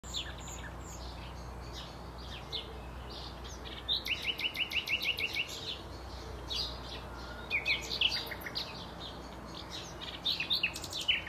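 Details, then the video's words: A common nightingale sings in bursts: rapid, even trills of sharp notes, a quick rattling run, then varied whistled phrases over a soft background hiss. "Nachtigall Gesang / Nightingale singing"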